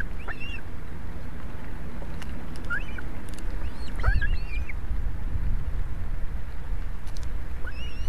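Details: Osprey at a nest in Estonia on a live camera, 11 July 2017 in the afternoon, when a huge fish arrives for soaked young. Scattered short, arched, whistled chirps sound over a heavy low rumble of wind or water noise.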